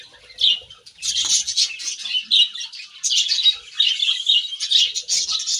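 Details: Pet budgerigars chirp while eating grass in separate bursts of scratchy warbling and sharp squeaky notes, each lasting about a second, with quieter gaps between.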